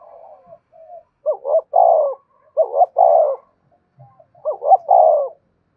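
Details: Cooing of a spotted dove used as a lure: three low, even phrases. Each has two short rising notes and a longer burry descending coo, spaced roughly every one and a half seconds.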